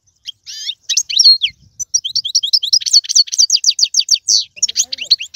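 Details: Algerian European goldfinch singing tiwawati, galoubi and serfati phrases. Scattered sharp chirps, then a long lively run of quick, buzzy, downslurred twitters, ending in looser scattered notes.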